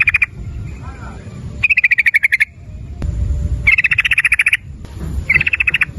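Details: Lure recording of a yellow-vented bulbul (trucukan), 'ropel nguklik' style, meant to set other bulbuls singing: rapid runs of gurgling, rattling notes lasting up to a second, repeated after short gaps, with low rumbling background noise.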